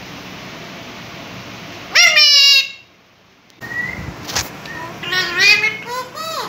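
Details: Talking ringneck parrot asking mummy for food, indoors: harsh, harmonic-rich vocal bursts with sliding pitch, a sudden loud squawk, pauses, then a run of chattering mimicked speech syllables.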